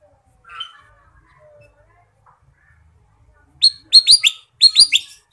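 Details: Ruby-throated bulbul in a lively full-fill song: one soft warbled note, a pause, then two loud clusters of rapid bright chirps, each with three or four sharp downslurred notes, clean and ringing.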